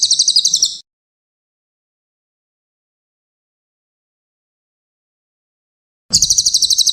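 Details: Song of the brown cililin, meant as a master for training songbirds: the tail of one shrill, rapidly pulsed trill, a long silence of about five seconds, then another high rattling trill begins.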